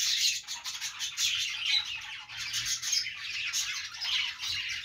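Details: A group of budgies produces a constant, buzzy twitter of high squawks and chirps, rising and dipping in loudness.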